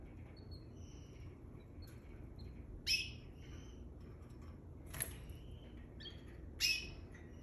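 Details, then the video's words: A pair of canaries fighting: scattered short high whistled notes and a few sudden harsh, sharp bursts at irregular intervals, separated by quiet gaps over steady low background noise. "Canary couple fight"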